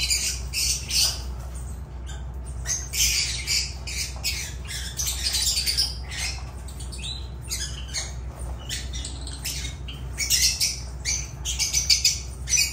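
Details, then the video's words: Lovebirds chatter almost nonstop with shrill, high squeaks and harsh screechy bursts, several calls overlapping in quick runs over a low steady hum. "Agapornis love birds sounds"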